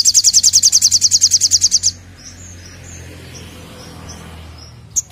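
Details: Olive-backed sunbird singing vigorously in 'nembak' style: a loud, very rapid high trill of some eighteen even notes over two seconds, then faint soft twitters and one closing chirp.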